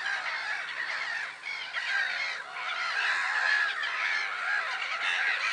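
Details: Many black-headed gulls at Lake Sarymsak in Kazakhstan's Pavlodar Region, 10 April 2011, keep up a steady din of raspy, crowding cries, with a brief dip in loudness early on.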